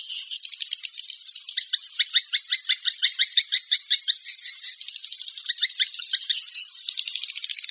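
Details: Swiftlet calling sound: a long run of rapid, evenly spaced, sharp buzzy chirps, roughly three per second, forming a rattling high-pitched chatter that softens toward the end.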